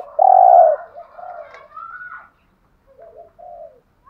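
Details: Spotted dove, a male-rousing "giọng hạp" voice with calling, urging and cooing phrases, played to stir caged males; one loud low hollow coo, then softer fainter murmured notes and a short trailing coo.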